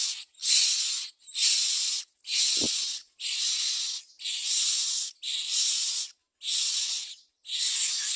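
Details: Common myna parents bringing worms and crickets to feed their babies: harsh, breathy hissing rasps, each about half a second long, repeated roughly once a second with short silent gaps between.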